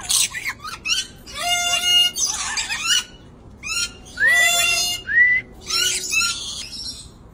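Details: A pair of dusky lories give harsh, shrill screeches in quick bursts, some rasping and some sliding whistles, repeated about every second.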